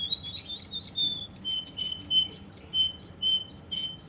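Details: Russian canary in Kuwait singing a fast series of short high whistled notes alternating between two pitches, repeated about twice a second in a bubbling rhythm.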